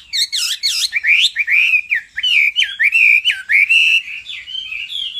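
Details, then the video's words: Hwamei male singing, stirred by a female's calls: rich, loud, varied whistled phrases, swooping up and down, flowing into a long warbling run of bright clear notes. "Họa mi mái xùy liên hồi kích chim trống căng lửa hót ngay"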